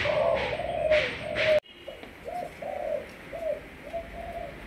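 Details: Malaysian spotted dove kept as a decoy bird, giving soft, low hollow coos in short repeated notes after a loud burst of broadband noise in the opening second and a half.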